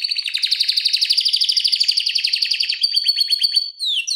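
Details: Tutor song of a canary with a long rolling delivery: a rapid, tightly repeated trill running several seconds, shifting to a slower series of notes and a final downward sweep.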